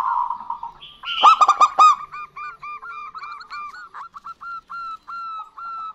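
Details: A female and a male local zebra dove call back and forth. One loud cluster of rapid staccato coos is followed by a long, steady train of softer, evenly repeated short notes.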